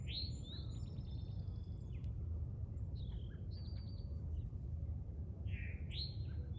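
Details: American robin in a yard: high, slurred whistled phrases and thin chirps in short bursts, with steady low background rumble throughout.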